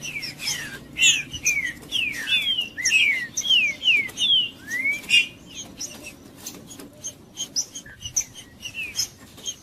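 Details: Green-winged saltator song used to warm up a cold bird, from tournament-style singing: bursts of clear whistled downslurred and upslurred notes, rapidly repeated, strongest in the first half, trailing into softer scattered chirps.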